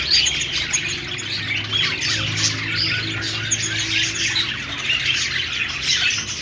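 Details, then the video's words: Happy parakeet chatter from a group of budgies: constant high warbling twitter with scattered clear whistled notes, plus a faint low droning hum in the background. "Budgie birds sounds | love birds sounds |parakeet chirping noises |Australian parrot singing"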